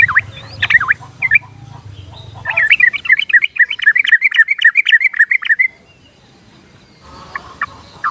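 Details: Yellow-vented bulbul singing as a basic lure to coax timid or skittish birds into song: a few scattered warbled phrases, then a quick bubbly chattering run of rising and falling notes lasting about three seconds, with a low hum at first.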